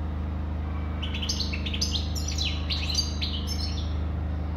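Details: Rapid, bubbling European goldfinch song, a dense string of bright twittered notes and short buzzy trills lasting about three seconds, with a constant low mechanical hum beneath.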